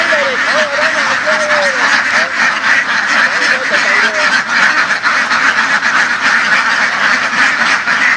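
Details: Laying ducks herded through the fields in western Vietnam; a few drawn-out, nasal, bending calls early on over a dense, steady chatter of many quacking birds.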